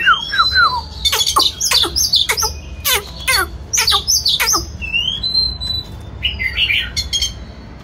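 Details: White-rumped shama singing while displaying: loud varied phrases of clear descending whistles mixed with sharp broadband clicks and rattling notes, long drawn whistle near the end, faint low room hum beneath.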